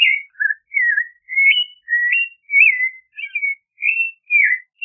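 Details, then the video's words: Song of a Clay-colored thrush (Turdus grayi), a continuous series of short whistled, warbled phrases, some rising and some dropping, given about twice per second with brief gaps; clean background. "Clay-colored Thrush Singing! Clay-colored Thrush Calling! Sound! - Zorzal Pardo Canto - Turdus Grayi"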